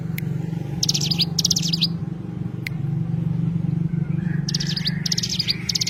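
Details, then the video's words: Oriental white-eye, known locally as cigun, gives short bursts of very high, rapid twittering chirps, two at the start and more toward the end, over a steady loud low hum. "burung cigun"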